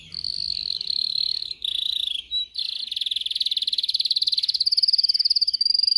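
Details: Training song for canaries: a canary holds smooth buzzy rolls broken by brief pauses, then shifts into a fast pulsed trill that grows louder and higher.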